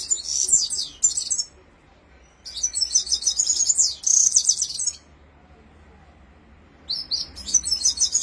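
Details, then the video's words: Rolling song of a red-fronted serin (Himalayan finch): long bursts of fast, high, jingling twitter lasting one to two seconds, separated by silent pauses, with a faint low hum underneath. "Top Red Fronted serin Rolling Singing"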